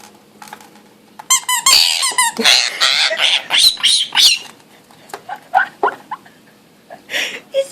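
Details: A monk parakeet (Quaker parrot), a pet called male by its owner, gives harsh, raspy squawks in quick bursts while angrily attacking its hated squeaky pink elephant toy. The toy squeaks and a person talks over it.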